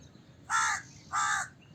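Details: Two short, hoarse crow caws in quick succession, clear and close against a quiet background.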